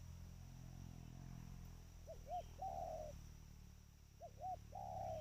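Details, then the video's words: Trained spotted dove cooing twice: each phrase two clipped low hoots and a stretched, rough coo, over a steady low droning background. "Suara panggilan tekukur ajaran"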